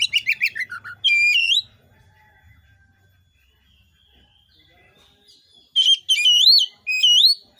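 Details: Oriental magpie-robin song used to set other magpie-robins singing: a rapid falling trill and a rising whistle, a quiet gap with a faint low hum, then several looping upslurred whistles.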